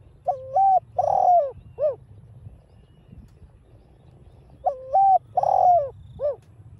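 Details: Caged spotted dove calling in 'đồng pha' voice, played to excite other captive doves into calling. A three-part phrase of a flat note, a long wavering coo and a short hoot, given twice about four seconds apart.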